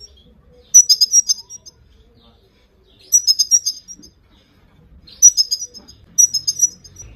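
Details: A captive female Himalayan goldfinch gives four bursts of quick, bright, tinkling call notes, five or six per burst, spaced a second or two apart. These calls are used to stimulate and train male goldfinches to sing.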